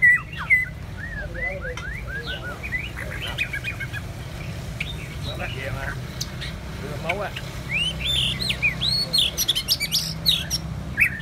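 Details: White-rumped shama singing a varied, rambling song of clear whistled slurs, rising and falling notes and sharp high chips, delivered in uneven bursts over a constant low rumbling background noise.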